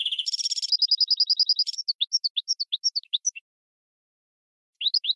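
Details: Goldfinch × red canary hybrid singing a tutor song meant for training other birds: a buzzy opening rasp, then a fast even trill of high notes, then separate sweeping chirps, a pause of over a second, and a new burst of rising notes.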